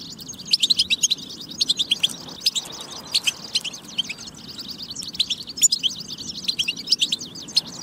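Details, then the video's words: European goldfinch song in a batba used to rouse goldfinches to sing; rapid high twittering, sharp chirps and short trills in continuous phrases, over a faint low hum. "بتبة فتاكة لتحفيز الحسون على التغريد والجهوزية"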